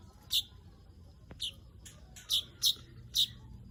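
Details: Weaver calling with five short, sharp, high chirps, isolated and spaced unevenly over a few seconds against a quiet background.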